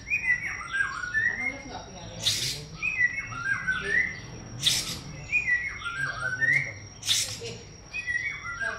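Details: White-rumped shama singing: varied clear whistled phrases, some rising and some falling, broken by three loud harsh broadband bursts about every two and a half seconds, over a low steady background hum.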